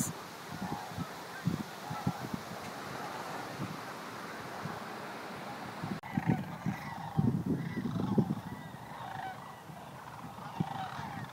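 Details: Sandhill Cranes in family groups staging at Creamer's Field Migratory Waterfowl Refuge in Fairbanks, Alaska, before heading to Texas; wind noise at first, then from about six seconds a cluster of low, rolling, rattling calls in overlapping bursts.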